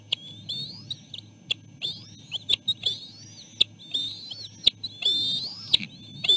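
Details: Bald eagle eaglets at the nest as their mother brings food, three siblings jostling to eat; high thin whistled chirps, rising and falling, in short bursts about once a second, with sharp clicks and a low steady hum.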